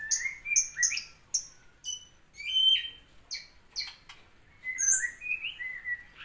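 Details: Bulbul (cucak cungkok) giving a loud burst song: sharp, high chirps mixed with clear whistled notes that rise and fall, delivered in quick irregular phrases with short gaps.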